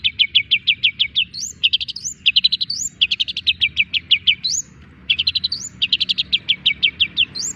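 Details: Young long-tailed shrike with strong character singing fast bursts of short, high, descending chirps. Each run ends in a rising whistled sweep, and the bursts repeat with brief pauses.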